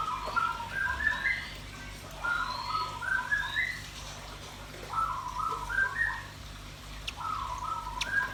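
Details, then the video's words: Clear whistled phrases from a red-billed nuthatch or white-rumped shama, each stepping upward in pitch over about a second, repeated every two seconds or so, with thinner high whistles between. "Suara kicau burung rambatan paruh merah dan murai batu gacor"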